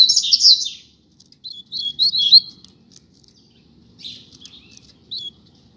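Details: Double-collared seedeater, one of a pair outdoors on a street, gives high, buzzy, twittering song phrases in short bursts separated by pauses, with a faint low rumble underneath.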